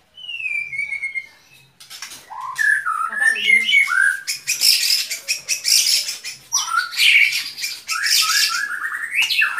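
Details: White-rumped shama singing: a high whistled note falls away, then after a pause comes a loud, varied run of whistles, slurred notes and harsh buzzy bursts, mostly high-pitched.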